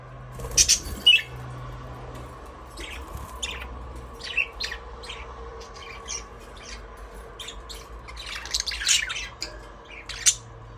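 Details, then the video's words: Aviary budgies singing and playing, giving scattered high squawks and quick chirps, loudest near the start and around the ninth second, over a steady low electrical hum. "Budgies parrot chirping sound"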